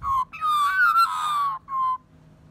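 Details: An Australian magpie, after drinking water, gives a begging call asking for food: three fluty, warbling notes, a short one, a long wavering one rising then falling, and a steady final note.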